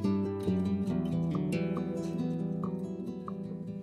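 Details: Plucked acoustic guitar music with strummed chords and no animal sounds.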